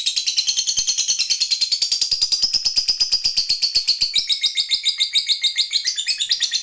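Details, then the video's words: Lovebird kept as a fighter bird, giving a long, loud trill meant to provoke other lovebirds into singing: a rapid, buzzy run of high pulses, about two or three per second, held for the whole stretch and shifting slightly in pitch near the end. "Suara Lovebird GACOR ini, DENGAN CEPAT Mampu Memancing Labet Agar NGEKEK PANJANG"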